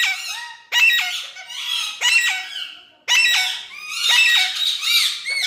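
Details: A pet Indian parrot gives loud, grating, voice-like squawks in three long, strained bursts with short thin notes trailing after them.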